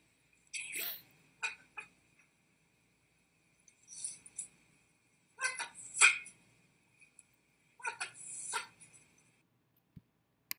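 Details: Talking parrot imitating a person, repeatedly saying "WTF" and sounding angrier each time: short harsh speech-like bursts separated by pauses, in a quiet indoor setting.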